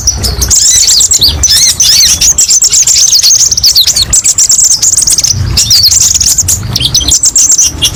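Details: Kolibri ninja sunbird singing a fast, high, twittering song of sharp chirps and trills for keeper tutoring and therapy, delivered continuously with short pauses.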